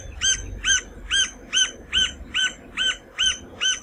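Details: Series of nine evenly spaced, squeaky arched notes from a Green-barred Woodpecker of the Brazilian Cerrado, repeated roughly every half second above a soft low background hum.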